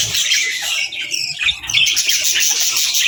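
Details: Baby budgies and lovebirds at feeding time, feeding and interacting: a dense, continuous wash of high, scratchy chirps and squeaks from many birds overlapping with no pauses, plus a soft low rustle underneath.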